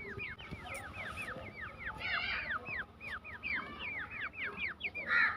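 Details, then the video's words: Black francolin chicks with a female in forest: many thin, downward-slurred peeping notes repeated rapidly and overlapping, with a steady background hum. "teetar chicks voice"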